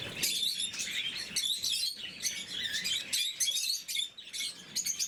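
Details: Blue-mutation lovebirds kept indoors, feeding in the morning, give bursts of shrill chirping and twittering that come in short clusters separated by brief lulls.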